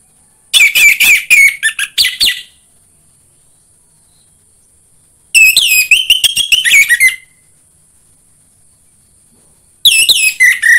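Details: Orange-headed thrush, anis merah, used to prompt caged birds into song: three loud bursts of rapid scratchy, buzzy notes and short whistles, separated by pauses of about three seconds, with a faint steady high hiss.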